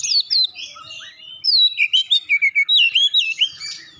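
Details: Oriental magpie-robin song with gelatik batu mimicry: rapid, varied whistled notes, slurred and rising, then a steady run of about ten short clear chirps in quick succession.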